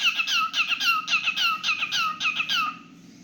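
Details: Pet cockatiel singing with quick, downslurred chirps that come almost twice a second, then fade into quiet.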